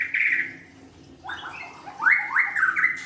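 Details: White-rumped shama giving a held whistled note, a short pause, then a quick run of three or four strongly rising slurred whistles.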